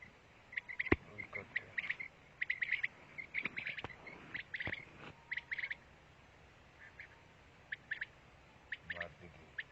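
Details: Pakistani quail song: short, harsh, scratchy notes repeated in quick clusters of two to four, with irregular pauses, over a steady background hiss and a few sharp clicks.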